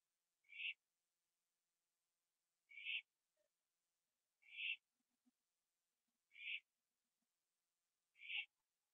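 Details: Owl at 11:15 PM, 21 September 2011, on a porch finishing a gopher before flying to a tree with another owl; five short harsh, rasping screeches repeated roughly every two seconds, plus faint low clicks.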